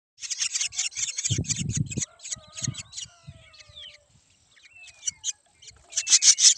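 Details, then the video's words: Black drongo chicks give harsh, hissing begging calls in rapid repeated bursts, with a few thin whistled notes and brief low thumps between them. "black drongo babies crying"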